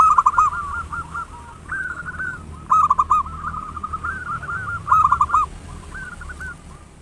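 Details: Local zebra dove in full, loud-voiced song, used as a lure to get other doves singing. Loud cooing phrases of rapid rolling notes recur every two seconds, over a steady fainter series of similar coos in the background.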